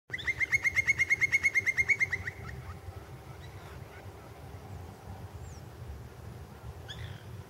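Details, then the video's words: A woodpecker, one of two species seen at Natalicio Talavera, Paraguay, gives a fast, even rattle of about fourteen sharp, high notes over two seconds, then a few faint calls over a low rumble. "Carpinteros- y sus sonidos"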